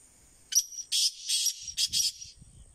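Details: Black francolin giving a harsh, grating phrase of five loud bursts: one short note, two longer rasping syllables, then a quick pair, all within about two seconds, with faint low rumbling behind.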